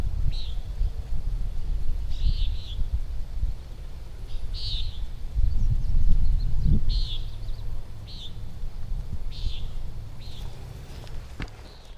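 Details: Common Nighthawk heard on a hike at Minneopa State Park, Mankato, Minnesota, 18 July 2025, giving short, nasal, buzzy peents about one every one to two seconds over heavy low wind rumble.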